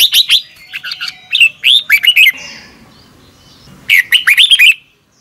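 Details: Red-whiskered bulbul singing in the morning in the double twisted voice style, used as a lure for wild-caught birds: choppy chirps and twisting whistles, a quiet gap, then one more rolling phrase.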